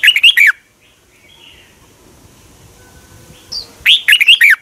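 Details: Song of a red-whiskered bulbul in Thailand, meant to rouse caged birds: one phrase of rich, bouncy whistles at the start and another near the end, with a soft distant note and low hum between.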